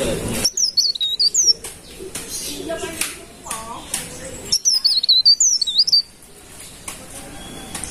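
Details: Golden-bellied gerygone, locally cikrak daun or pare-pare, delivers two high, tremulous whistled phrases, a short one early and a longer one after a pause, with faint low background sounds between.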